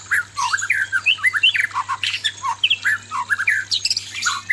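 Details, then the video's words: White-rumped shama male facing a female, used as sound therapy for pairing; a steady stream of short whistled and slurred notes, some harsh, with no pauses. "suara murai batu jantan menghadapi betina galak"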